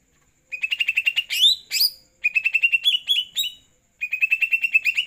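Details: After a night bath, a greater green leafbird sings energetically: quick runs of sharp repeated chirps broken by upward-sweeping whistled notes, in three phrases separated by brief silences.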